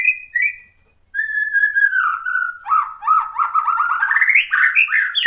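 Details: Lure song of a white-rumped shama for provoking other shamas: short whistled notes, then a falling whistle leading into a fast, bubbling series of repeated warbled notes that climb higher toward the end.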